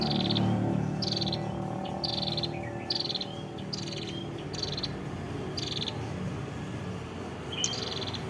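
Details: Red-headed prinia from a village in Ngawi, East Java: repeated harsh buzzy bursts, each trailing into a short whistle, given several times a second early then spacing out, with low murmuring noise in the background.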